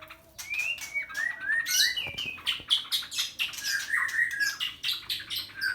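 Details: Captive white-rumped shama, Medan murai batu at a bird farm, giving a busy song of rising whistles, harsh chattering notes and quick trills, sounding slightly noisy with a low background hum.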